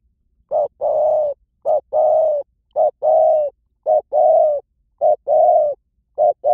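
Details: Spotted dove calling, a recording meant to lure wild doves in quickly: paired phrases, a short coo followed by a longer, steady, slightly falling coo, repeated about every second and a bit, over a quiet background.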